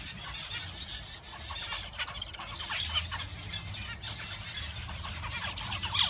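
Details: Male zebra finches (Taeniopygia guttata) singing: busy, buzzy, nasal chatter of quick harsh notes that overlap one another.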